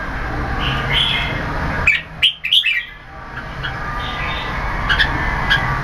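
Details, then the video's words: Red-whiskered bulbul (Jambul) competition bird growing its tail feathers, singing in keke competition style: short bright whistled chirps, one near one second, a quick cluster around two to three seconds, more near five seconds, over steady low background hum. "Hammer Keke Competition Jambul"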